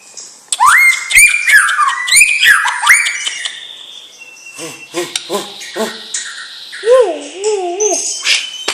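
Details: White-rumped shama from a champion bloodline: bright rising whistles and fast chips open the song, then come quieter, lower clipped notes and a pair of wavering, warbled whistles near the end.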